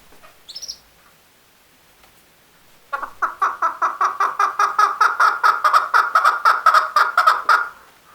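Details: Male chukar giving a long run of harsh, clucking 'chuck' notes, about four a second, growing louder and steadier. A brief high chirp from another bird comes just before.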